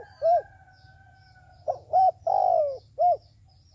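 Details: Decoy dove for bird trapping delivers a rhythmic phrase: a short coo, a gap, then clipped notes, a long falling coo and a closing short hoot, all low and mellow over a faint hum and thin whistle.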